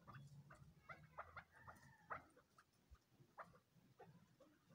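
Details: Crossbred chukar chicks giving short, clipped chirps in scattered bursts, some with a slight downward slur, over a low rumbling background hum.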